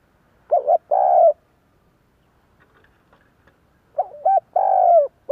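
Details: Spotted Dove cooing used to provoke other doves into cooing back: a quick wavering note and a long steady coo, then near silence for about three seconds before the phrase returns, a new note starting at the very end.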